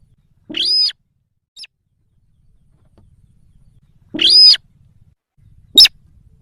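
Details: Sintar sawah calls played as a lure for wild sintar: two loud, rasping, nasal notes about three seconds apart, a faint short note between them, and a sharp click at the end.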